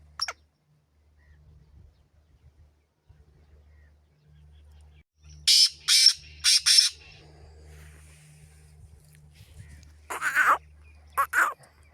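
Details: Black francolin in Pakistan giving harsh, grating notes: three rasping bursts in quick succession, a pause, then two more, with a low hum underneath.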